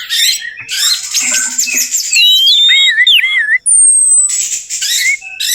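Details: Orange-headed thrush lure song for a bird that has stopped singing: dense buzzy chatter with sliding whistles and looping notes, a long high whistle, and scratchy trills.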